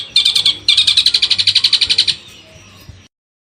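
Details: Long-tailed shrike in a masteran training recording: a rapid, harsh chatter of sharp high notes, with a brief burst followed by a longer run of about fifteen evenly spaced pulses, then a faint fading tail over a low steady hum.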